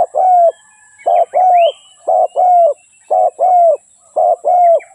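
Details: Decoy spotted dove calling for trapping: five regular coo phrases, a brief note then a longer level hoot, about one per second, with high rising whistles and chirps from other birds behind.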